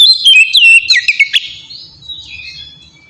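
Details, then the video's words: Oriental magpie-robin ngeplong song meant to stir captive birds into singing: a brief burst of quick whistled slurs, then soft low murmuring. "suara burung kacer ngeplong gacor sangat ampuh buat pancingan kacer bahan bikin cepat gacor"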